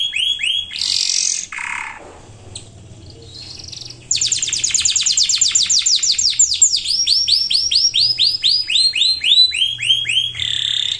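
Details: Singing canary used as a lure to get reluctant and young birds singing: varied phrases of looping whistles, a brief lower pause, then long rapid trills of repeated down-slurred notes shifting in speed and pitch.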